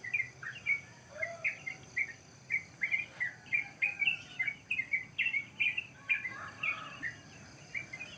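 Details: Wild birds chirping at morning in rice fields beside a countryside house: an unbroken run of quick, high, slurred chirps, several per second, with one lower call near the start and constant background hiss.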